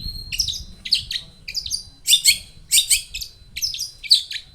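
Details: Long-tailed shrike lure song: a series of short harsh, buzzy chattering bursts roughly every half second, each a cluster of high scratchy notes, with low background hum.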